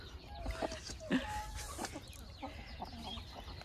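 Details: Hens, some of them molting, eat food and follow their keeper as spring and summer arrive. Soft scattered clucks and short low calls are heard among rustling and movement noise.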